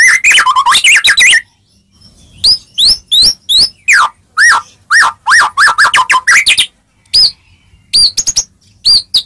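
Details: White-rumped shama song used to get any shama to respond; dense rapid phrases of sharp sweeping whistles and chirps, a brief pause, then long runs of quick downslurred and upslurred notes.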